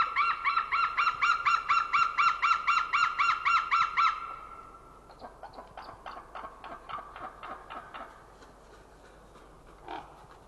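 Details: Unringed white-tailed eagle calling in the air over a winter feeding ground in Nova, Estonia, 20 January 2013, 09:56. A rapid, regular series of clear, yelping notes lasts about four seconds, then drops to a softer, more distant stutter.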